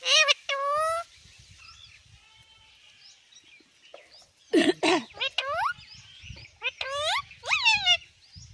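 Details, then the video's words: Household talking parrot producing a loud rising word-like call, then a quieter pause, followed by a cluster of harsh, nasal, rapidly repeated utterances and upward-sweeping calls, with faint human voices in the background. "बोलने वाला तोता"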